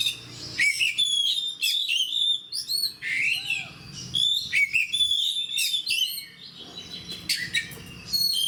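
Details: Oriental magpie-robin delivering aggressive fighter-style song: scratchy trills, loud whistled slurs and sharp chirps in quick succession, with brief pauses between phrases.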